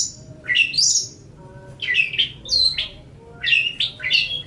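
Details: Long-tailed shrike chatter recorded as master audio for training other birds: clusters of squeaky rising and falling slurred whistles and twangy chirps, grouped into three bursts separated by brief quiet spells, over a low hum.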